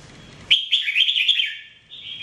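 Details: Red-whiskered bulbul, known as jambul, sings one bubbling phrase of rapid chirping, slurred notes followed by a brief sustained whistle, recorded for training.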